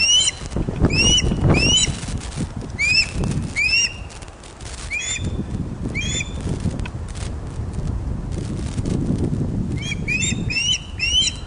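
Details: Ospreys at a Scottish loch nest, Loch of the Lowes, caught by webcam on 31 August 2013, 16:39, during a large fish delivery. Bursts of upslurred whistled chirps come in loose runs with short gaps, over intermittent low rustling and knocking.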